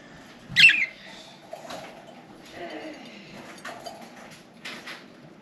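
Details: A budgerigar eating golden millet and seed cakes gives one bright, sharp chirp, then softer scattered chirps and warbles.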